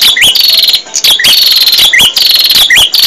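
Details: Prinia song from a bird-training recording: an almost unbroken stream of loud, shrill chirps, each phrase ending in a quick rising whistle, repeated about four times.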